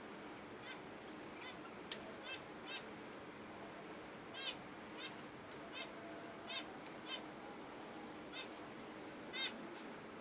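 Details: Budgerigar calling: short, bright harmonic chirps arriving irregularly across the clip, several in quick double or triple bursts, over a steady background hiss.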